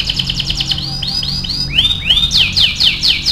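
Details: Canary singing for song training, starting with a quick chattering trill, then slower curved whistles, ending in loud, sharp, rapidly repeated notes.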